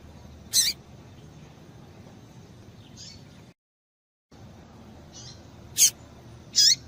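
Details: Female rusty-collared seedeater call, used to stir a male into singing: a few short, sharp, very high chirps, two near the start and a tight cluster near the end, separated by a silent gap over a steady faint hiss.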